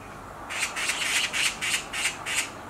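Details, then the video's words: Screaming black magpie on a tree branch, a short, loud series of about seven hoarse, scratchy notes repeated nearly three times a second. "Black Magpie Screams on a Tree branch"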